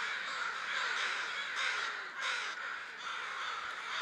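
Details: Crows massed together before going to roost, rough overlapping caws forming a constant noisy chorus, with a couple of stronger bursts around the middle.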